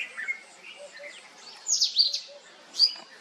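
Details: A sunbird family gives high, thin calls: quick sharp chips and short twittering bursts, loudest in two clusters, over faint distant chirps.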